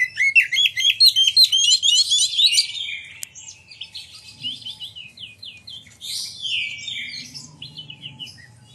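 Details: Oriental magpie-robin in full, continuous lure song meant to provoke other magpie-robins into singing and opening their tails: rapid high, sharp chirps and trills repeated about three times a second, followed by quieter varied whistled phrases.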